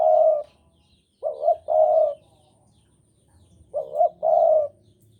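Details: Javanese spotted dove in strong breeding mood, cooing persistently: low, mellow two-part coos, a short note then a longer rolling one, given in pairs separated by pauses of over a second, with a quiet background.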